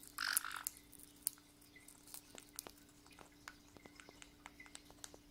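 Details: A white-bellied caique, one of a pair, is indoors being given puffed rice. It gives one brief, harsh squawk, followed by scattered crunching clicks of eating over a low, steady hum.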